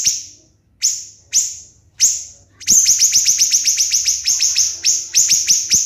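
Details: Siri-siri bird in a training recording for songbird contests, singing tight 'tembakan' bursts: four separate shrill, sharply falling notes, then a dense rapid run of high piercing strokes with faint background clicks.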